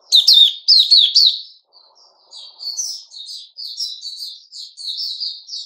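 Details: Male sooty-headed bulbul, 10 July 2021, opens with three loud, sharp chirps and then continues with a softer, steady chatter of quick high notes.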